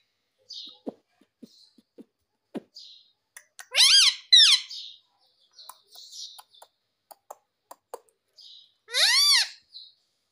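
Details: Scattered clicks and soft taps from a pet parrot, broken by two loud, arching, harmonic calls several seconds apart, each swooping up then down.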